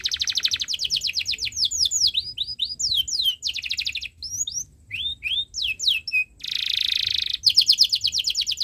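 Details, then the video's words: Canary song meant as a tutor for young birds learning to sing: fast runs of rapid repeated high chirps, sweeping downslurred whistles, and a buzzy trill, with brief pauses between phrases. "Suara Burung Kenari ● Masteran Kenari Paud Belajar Bunyi | Kenari Gacor Cuit Cuit Panjang"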